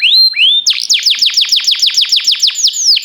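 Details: Canary song for training canaries, timbrado style named: a long rising whistle, then a rapid, even trill of falling notes repeated about three times a second, clear and loud with no other sounds.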